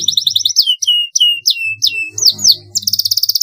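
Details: Canary training-master song: quick repeated chirps, then a series of loud descending whistled slurs about every third of a second, closing with a fast buzzy trill; a low hum runs underneath.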